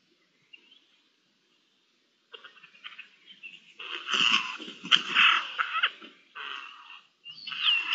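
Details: Recorded 10 May 2021: Eurasian jays trade harsh, raspy screeches and softer chattering notes in quick irregular bursts, several calls a second at the busiest moments, as if conversing.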